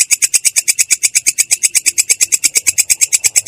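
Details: Long-tailed shrike in a rolling song style described as a clear yet harsh voice: a rapid, steady stream of high, scratchy notes, about seven per second, continuing without a break.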